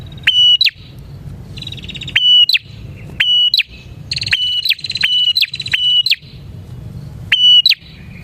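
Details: Bar-winged prinia song used to lure prinias: six loud, piercing whistles that rise, hold, then drop into a clipped note. A busier, buzzy chattering rides alongside midway, all over a low background rumble.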